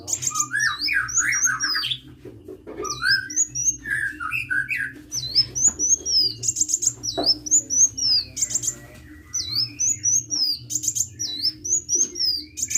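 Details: Lively hummingbird song: a long, busy sequence of high looping whistles and rapid buzzy trills, with some lower twittering notes early on, over a low background hum.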